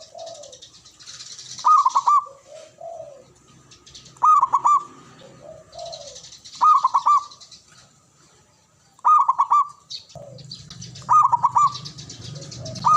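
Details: Local male zebra dove calling: five ringing, stuttered coo phrases repeated roughly every two seconds. Faint high chirps from other birds and soft background murmur fill the gaps between phrases.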